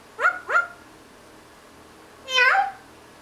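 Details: Pet parrot making animal noises while napping in the morning: two quick, rising, bark-like yelps, a short gap, then one longer, rich, harmonic whine that bends downward; quiet room.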